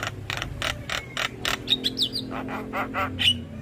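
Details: Javan myna singing, recorded as a lure for stressed mynas: rasping bursts repeated about three per second, broken by thin whistled slurs, with a low background hum.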